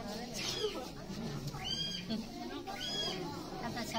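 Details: A captive kiwi at Tennoji Zoo in Osaka, Japan, seen calling there for the first time, gives shrill, arching whistled calls, each rising then falling, over a murmur of people.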